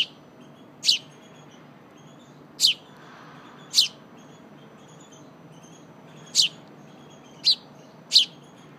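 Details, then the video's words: Sparrow chicks begging as their mother feeds them softened seeds: six brief, high, piercing chirps at irregular intervals of one to two seconds, with a soft low hum behind. "Snack time for young Sparrow"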